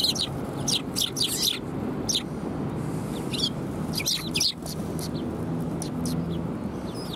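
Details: Several sparrows coming to be fed at a Tenmangu shrine on 18 December 2020: short, sharp chirps in quick clusters, some overlapping, with quieter gaps in between over a steady low outdoor rumble.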